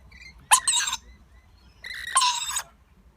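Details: Lorikeet chick fed by its parents, making two grating, squawky begging bursts about one and a half seconds apart, each with a nasal tonal edge.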